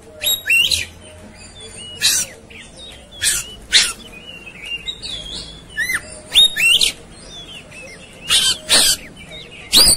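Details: Fighting, agitated Oriental magpie-robin: repeated short harsh buzzy bursts scattered through the clip, interleaved with sharp whistles and brief chirped notes.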